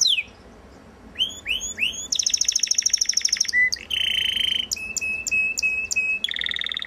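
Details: Song of a Belgian canary called galador: after a brief quiet start come clipped downslurred notes, a rapid high rattle, a steady mid-pitched buzzy roll and evenly spaced tinkling notes over a held tone.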